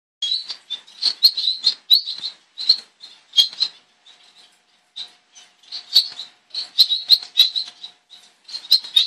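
Double-barred finch giving a rapid string of thin, high nasal chirps and squeaky notes, in bursts with short pauses, with a faint low hum behind.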